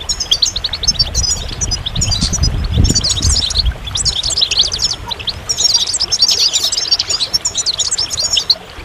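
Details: Goldfinch sings in rushing bursts of high twittering and trills, pausing briefly around five seconds before resuming with dense, chattering phrases; low background rumble throughout.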